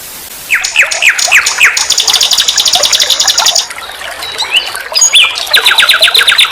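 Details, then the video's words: Nightingale song used as a master recording for training songbirds: sharp down-slurred notes repeated rapidly, then a long, dense high buzzing trill, a short pause, and another fast metallic rattle of repeated notes. "Masteran SIKATAN LONDO || NIGHTINGALE BIRD, Guru vokal semua burung kicau."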